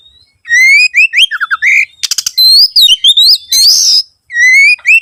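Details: Oriental magpie-robin song played as a lure to make other birds sing. Continuous bright whistles rise and dip, broken by quick descending notes, rasping buzzes and a long harsh hiss before the whistling resumes.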